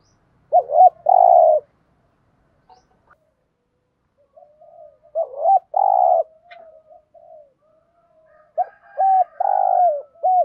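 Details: Spotted dove giving the thúc gù urging coo style: three bursts of low, hollow coos, each a short hooked note, a longer steady coo and a hooked ending, separated by quiet pauses with faint soft murmurs.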